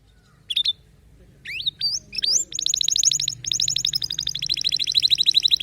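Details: Canary song with distinctive notes: a few sharp upslurred whistles, then a long fast trill of buzzy repeated syllables around the mid-high range, rolling on steadily to the end.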